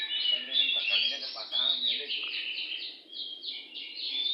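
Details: Free-living oriental magpie-robin by a home delivering a continuous stream of sweet whistles, slurred rising and falling notes and quick trills, sung loudly and persistently, faint voice murmuring underneath.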